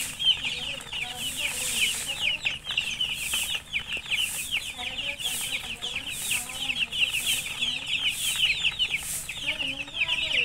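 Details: Just-born coloured baby chickens calling out of thirst for drinking water: a loud, unbroken chorus of shrill, fast, repeated peeps from many chicks, steady throughout.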